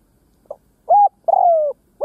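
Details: Decoy spotted dove cooing to lure wild doves: a faint short note, a loud level coo, then a long coo sliding slowly downward, with another coo starting at the end. Quiet background.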